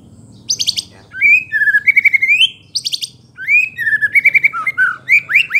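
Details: Vigorous white-rumped shama song to provoke rivals: bursts of buzzy high trills alternating with fluty rising and falling whistles, the phrases rapid and varied over several seconds.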